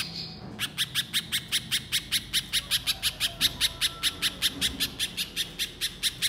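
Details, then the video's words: Sharp, high chipping notes of a little spiderhunter in energetic 'gacor nembak' calling, delivered in a fast, fairly even string of about two to three per second after a short quiet start. "Pijantung Pisang Gacor Mbeset Nembak Nembak‼️Bikin Pijantung Bahan Cepat Bunyi"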